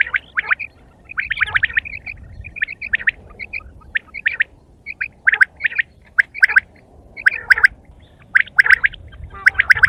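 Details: Quail calling in the morning in short, repeated bursts of sharp chirps, roughly one burst a second with uneven spacing.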